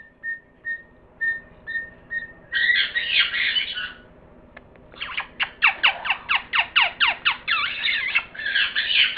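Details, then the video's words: Parrot giving a few soft short whistles, then a burst of harsh raspy squawking, a pause, and a rapid series of loud sweeping screeches ending in rough chatter. "пение попугая"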